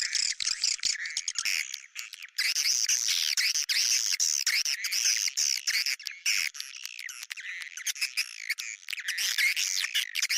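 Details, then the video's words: Swiftlet sound known as bintang utara, used because swiftlets like it: loud, looping, squeaky twitters in long bursts broken by brief pauses. "Sp yg d sukai burung walet.sp bintang utara"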